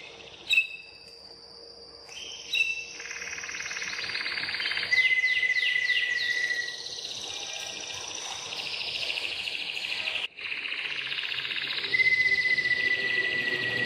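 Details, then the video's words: Belgian Waterslager canary, bred for its voice, in a noisy room: short sharp calls, then sweeping bubbling notes and a steady whistle over broad hiss. "Huấn luyện chim yến hót | Belgian Waterslager"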